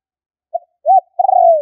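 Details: Fragment of a spotted dove lure call: one faint short coo, a rounded arching note, then a long level coo tapering slightly downward, with clean silence around it.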